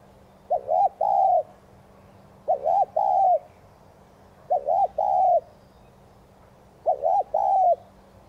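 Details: Spotted dove repeating its thúc gù coo to prompt newly caught doves to call. Four evenly spaced phrases arrive about every two seconds, each a stuttered double note and a sustained, softly falling croon. A steady low hum runs beneath.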